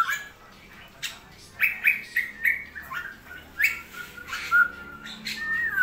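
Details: Cucak rowo (straw-headed bulbul) in a rainy season, delivering clear, liquid notes in short bursts about half a second apart, ending in a rising, whistled slur.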